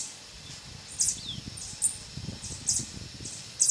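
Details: Violet sabrewing at Poasito, Poás, Alajuela, Costa Rica, giving very high, sharp chipping twitters roughly once a second over a steady high insect hiss and low background rumble.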